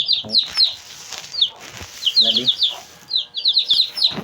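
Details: Two-day-old Shamo chicks peeping in a group: rapid, high, downslurred whistled peeps in overlapping bursts, with brief lower harmonic sounds and soft thumps beneath.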